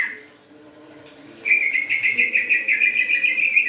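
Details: Greater green leafbird from Kalimantan, recovered from Newcastle disease, singing: after a short note and a pause, a fast continuous warbling trill runs steadily for two seconds against a faint background hum.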